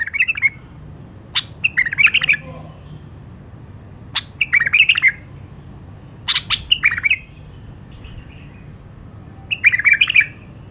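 White-eared bulbul giving short bursts of bubbly, warbled phrases every two to three seconds, with sharp clicks between; otherwise quiet.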